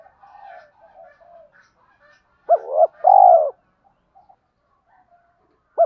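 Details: Lure call of a spotted dove aimed at wild birds: faint murmured coos, then one loud phrase of a short double note and a long mellow falling coo, another phrase starting at the end.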